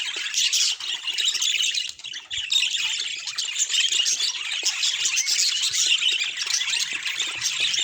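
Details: Budgerigars heard in an unprocessed natural recording, producing constant shrill warbling chatter and sharp squeaks that dip briefly in volume early on before building again.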